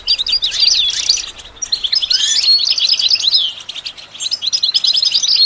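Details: Goldfinch song used for teaching a bird to sing: bright, tinkling twitter of rapid high chirps in two bursts, with liquid slurred notes mixed in and a short quieter gap between them.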